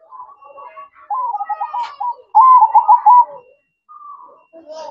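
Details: Zebra dove performing its manggung song at night: soft, rolling coos with a fluttery trilled texture, given in short phrases separated by brief pauses. The louder middle phrases stand out over quieter opening and closing notes.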